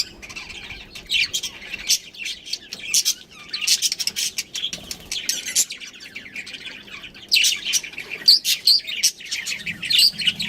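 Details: Breeding pair of pet budgerigars chattering steadily: dense runs of bright, high chirps and warbling twitters with short pauses, growing busier toward the end.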